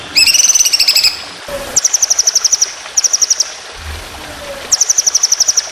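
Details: White-rumped shama song of the long rapid-fire tembakan panjang roll speed kind, used for training contest birds: a ringing layered trill, then several bursts of very fast, high, evenly repeated notes separated by short gaps.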